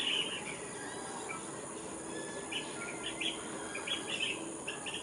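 Short, rolling chirps from a blue-tailed bee-eater come in loose bursts every half second or so, over a steady high insect hiss and background noise.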